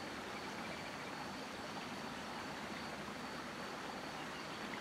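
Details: Steady broadband rushing noise like running water or distant traffic, with no animal voice.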